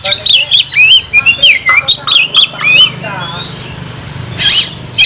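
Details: Kacer, or oriental magpie-robin, singing nagen: rapid twisting whistles and chirps strung together, a rough buzzy note near the end, and a brief noisy burst over a faint low hum.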